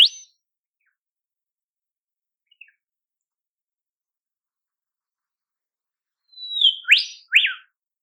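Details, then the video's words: Olive whistler calling in the wild in temperate Australian forest: after a brief high note and long silence, a level whistle drops into a downslur, followed by two quick rising upslurred whistles near the end. "Olive Whistler Call"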